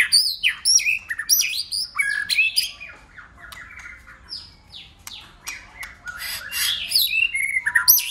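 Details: White-rumped shama in long-lasting competitive singing while beating its tail: dense bursts of high sweeping whistles and harsh chips, a quieter stretch of soft low notes, then renewed loud varied phrases.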